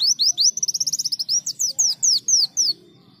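A Greater Green Leafbird sings a bright, canary-like phrase: a fast high trill, then a string of sharp, clear down-slurred whistles.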